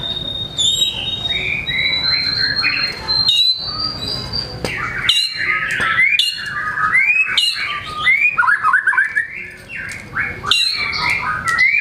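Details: White-rumped shama in full, busy song showing off its learned repertoire: a steady high whistle at first, then a dense stream of varied chirps, upslurs and clicks with brief gaps.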